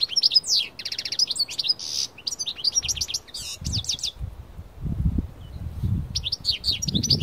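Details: European goldfinch of the parva type, taken outdoors into nature to sing strongly. High twittering phrases with fast metallic trills and buzzy notes, a pause mid-way, then a renewed burst. Low rumbling wind or handling noise underneath.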